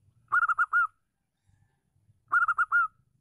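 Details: Female Zebra dove of a local wild strain, noted for a big voice and used to lure males into song: two rapid phrases of five bubbling coos, two seconds apart, the final note of each longer and slightly falling.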